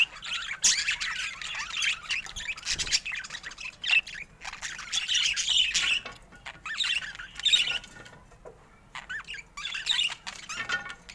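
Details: Colourful pet budgerigars, including rare colour mutations, chattering in a busy, scratchy warble of chirps, squawks and buzzy notes that come in bursts with short pauses between.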